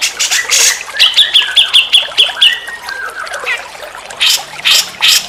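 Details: Grey-cheeked bulbul song used as a tutor to get other birds singing: loud, harsh squawky bursts with a run of six or seven evenly repeated bright notes in the middle, over rough background noise.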